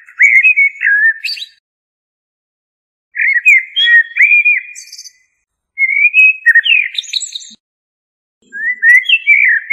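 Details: Common blackbird (Turdus merula) delivering four fluted song phrases about every two to three seconds. Each phrase is a warbled low whistle topped by a thin, scratchy high-pitched twitter. The background is quiet.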